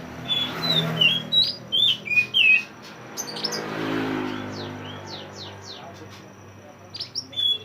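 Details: Pied bushchat song used to train caged songbirds: a string of five or six sweet, slurred high whistles, then quieter scattered chirps and a low background hum.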